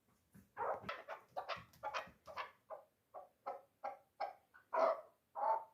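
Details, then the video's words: Chukar partridge kept for hunting, three years old and called a 'dulan' chukar, giving a run of clucks that starts quick and slows into spaced, louder chuk notes. "Кабки дулан"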